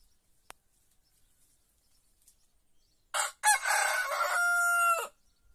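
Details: White rooster in a village in Andalusia, Spain, among olive groves, crowing: a short opening note, brief gap, then one long harsh crow that ends in a steady held tone, in an otherwise quiet setting.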